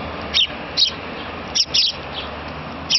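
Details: Sparrow fledgling begging persistently from its parents for food, giving quick high-pitched chirps in small clusters, some doubled, against faint low background noise.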